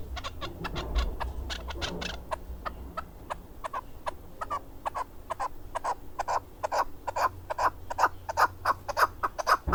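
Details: Male mountain partridge (keklik) kept for hunting, Darvoz, Tajikistan, 2020: a series of repeated chuk notes that grows steadily louder and quicker toward the end, with low rumbling beneath.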